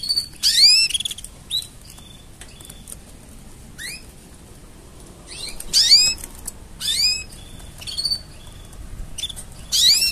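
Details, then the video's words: Mating song of a canary: repeated bright, high bursts of curving whistles and chirps, some with short flat tones between, recurring every second or two against a quiet background. "Tone Up Your Canary's Singing with These Mating Sounds!"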